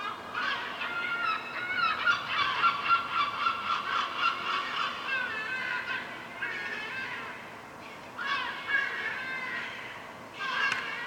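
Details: Young gulls, still downy fur-balls, fed by their mother on a rooftop: a fast run of nasal, harmonic calls for about six seconds, then pauses broken by further short bursts, with constant hiss behind.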